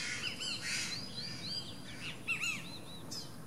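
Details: Least grebe at its nest giving a series of short, arched, down-slurred notes with rising and falling harmonics, several overlapping in quick succession, over a steady low background hiss.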